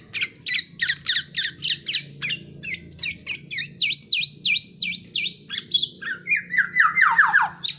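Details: Black-naped oriole on a masteran training track delivering rapid, evenly spaced high chirps, about four a second, each a sharp down-up chevron, ending in a lower descending cascade of slurred notes; a soft low hum continues throughout.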